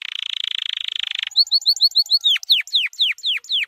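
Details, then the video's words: A white canary sings a training song: a fast buzzy roll, then quick high upslurred notes and a run of clear whistles sliding steeply down, about five a second, with no other sounds. "White Canary 12h Singing - The Best Training Song"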